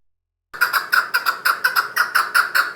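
A chukar partridge gives a rapid run of hoarse, clucking chuk notes, about five or six a second, loosely paired, with nothing else heard.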